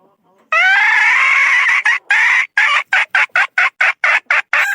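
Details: Loud crow from a young third-generation decoy rooster, 2022 season: a long, strained, rising note of over a second, then a stuttering string of a dozen short harsh syllables.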